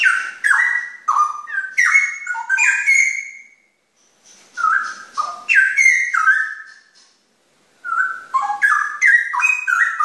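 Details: Cucak rowo, the straw-headed bulbul, sings bursts of fluty, bubbling whistles in quick, tumbling phrases. Three phrases of about three seconds each are split by brief silences.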